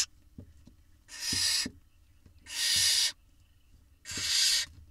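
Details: Barn owl nestlings in Israel begging at a nest camera as a parent delivers a mouse and a chick swallows it: three long, rasping hiss bursts roughly every one and a half seconds, with soft knocks and shuffling between them.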